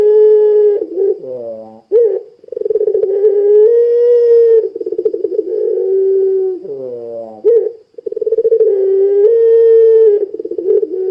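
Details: Lure recording of a vigorously calling puter pelung Barbary dove, meant to make other doves join in. Long drawn-out mellow coos with a throbbing, rolling texture are broken twice by short, lower, nasal notes, then resume, rising slightly.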